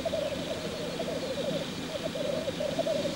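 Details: Black grouse male in lek display. Clear, fast, bubbling cooing phrases follow one another closely in a continuous burbling chorus.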